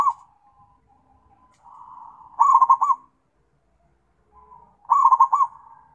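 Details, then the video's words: {'caption': 'Zebra dove calling its companions, giving two rapid bubbling bursts of about four coo notes each, every two and a half seconds, each preceded by a soft, smooth trill.'} "PERKUTUT MEMANGGIL TEMAN"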